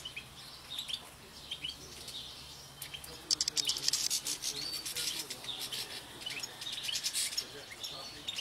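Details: A flock of European goldfinches feeding on Spanish oyster thistle in an aviary in Tunisia: bright, tinkling twitters and quick high chirps in irregular bursts, several birds calling over one another against a faint hum.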